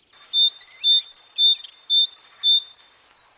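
A great tit sings a bright, ringing two-note phrase, high then slightly lower, repeated about five times in quick, even succession.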